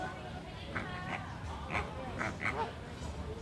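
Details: Greater flamingo resting and calling loudly: a few short, nasal, honking notes with a harmonic ring, scattered irregularly over a few seconds against a steady background hum.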